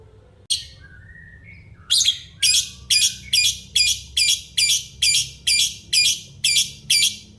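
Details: After a soft, brief whistled note and a short pause, a lovebird launches into a run of sharp, rasping chirps repeated about twice a second, evenly spaced, against a low background hum.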